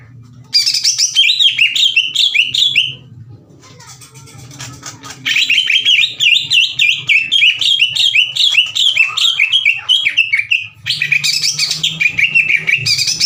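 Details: Fierce, loud song of a caged greater green leafbird challenging another to fight. Long runs of rapid, bouncing whistled notes come in three bursts, separated by quieter stretches, with a faint low hum beneath.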